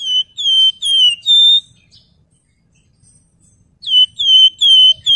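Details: Javan fulvetta (wergan jawa) in lively form, delivering its clear flute-like nyuling song, recorded as a training track for other birds: pure level whistles, each slightly falling, given in quick runs of three or four, with a pause between runs.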